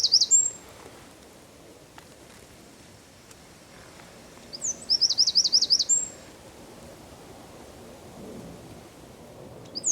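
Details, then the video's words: Eurasian wren song recorded in Zamudio's San Miguel de Daño quarter, 4 December 2019: short bursts of very high notes, including a bright rapid trill of about a second, separated by quiet background stretches. "TXEPETXA KANTUAN _2019.12.04_ Troglodytes troglodytes (Chochín común cantando)"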